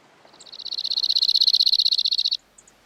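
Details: Cirl bunting, a small songbird of southern Europe, singing a single rapid, rhythmic trill of high, evenly repeated dry notes lasting about two seconds, swelling slightly in loudness before stopping abruptly.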